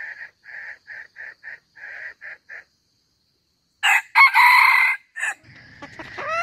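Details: Wild red junglefowl calls for luring birds into traps, hen and rooster calling each other: a string of short even clucking notes, a pause, then a loud harsh burst of crowing with sharp bright edges, ending in fainter rising notes.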